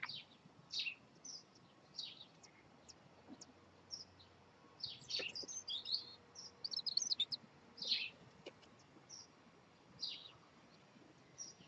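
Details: Five three-day-old robin chicks beg as the adults bring food, dated 2/5/2020. Thin, high, downward-sliding peeps come in a busy run, clustering into rapid overlapping flurries near the middle, over faint hiss.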